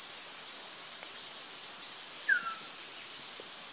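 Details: Rusty-naped pitta at Doi Inthanon, Chiang Mai Province: one short, slurred whistle falling in pitch, heard once near the middle over a loud, steady, high insect drone.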